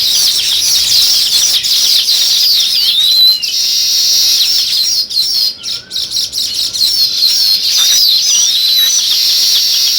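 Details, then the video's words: Busy sparrow chirping, weaver birds also named: a steady wall of many overlapping high chirps, trills and short rising twitters from a crowd of birds. It runs almost without pause, with a brief thinning midway. "Sparrow Chirping"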